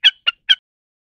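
Common snipe giving three short, harsh, rasping notes in quick succession, each about a tenth of a second, with nothing else heard.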